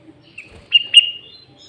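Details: Sooty-headed bulbul calling loudly, from a lure recording meant to draw in and agitate other bulbuls. A brief, clear, whistled phrase of two bright notes, nearly level in pitch, in an otherwise quiet setting.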